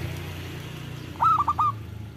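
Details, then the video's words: Local zebra dove, a loud frequent singer used to lure wild doves and coax quiet ones into song: one short phrase of four clipped hooting coos after a stretch of low background hum. "Perkutut lokal gacor Suara Besar Bagus Untuk Pikat dan Pancingan"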